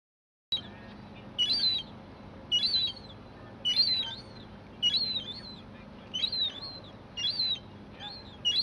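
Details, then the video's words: Juvenile gull calling in a series of thin, high, wavering whistled notes, often paired or doubled, repeated roughly once a second over a faint low rumble. "Juvenile Gull 1"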